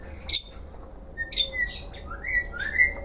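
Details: Black-collared starling singing naturally, used as a lure: a few separate harsh squawks about once a second, with short rising whistled notes between them.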